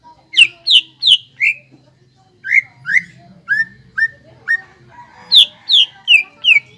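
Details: Greater green leafbird singing energetically as a lure to stir untrained leafbirds to sing: series of loud, falling whistled notes about three per second, a brief pause, then lower slurred whistles and higher sharp notes.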